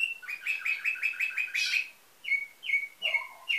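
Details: Canary in nightingale-style song, bred in Varna, Bulgaria: a fast even trill of about eight notes per second, then separate sharp whistled notes with a short low gurgle.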